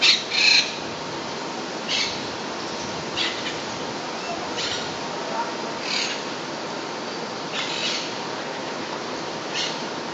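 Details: Harsh, scratchy squawks from monk parakeets, a South American species established in Puerto Rico, spaced irregularly every second or two against steady noise.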